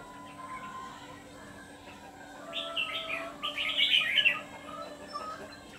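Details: A red-whiskered bulbul kept as a lure for trapping wild birds delivers a rich, jumbled phrase of fast sweeping whistles that builds in loudness toward the end after a quiet start, with a constant low hum in the background.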